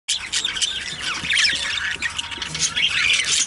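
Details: Budgerigars, two kept birds, chattering continuously with dense scratchy warbles, squawks and quick chirps overlapping throughout.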